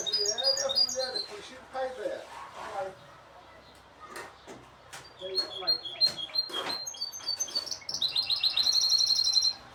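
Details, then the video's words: Group of goldfinch hybrids in song: bursts of fast twittering and chattering notes, breaks of quieter sound, then sharp repeated chips and a high tinkling trill near the end, several birds overlapping. "تغريد هجين الحسون لعدة طيور"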